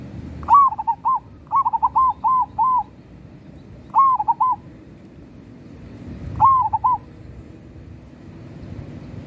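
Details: Local zebra dove singing busily: four cooing phrases, each opening with a rising note and tumbling into three or four short, soft coos, separated by pauses of one to two seconds.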